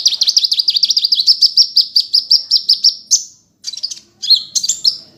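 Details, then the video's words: Gacor sunbird in ngunci style, used as a master recording for songbird training. A rapid trill of swooping high notes slows into evenly spaced chirps, then a pause before scattered sharp chirps and thin buzzy notes. "Masteran Burung Kolibri Gacor Suara Ngunci"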